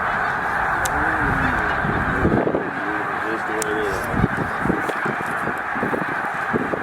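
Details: A flock of about 100,000 snow geese on migration at Middle Creek wildlife refuge keeps up a steady honking roar. Clearer, repeated yelping calls stand out in front, along with a few sharp clicks.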